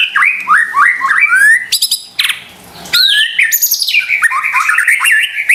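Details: White-rumped shama singing as a lure for stressed or quiet caged shamas: a run of four rising whistled notes, then buzzy, crackling bursts, a brief pause, and a fast varied warble.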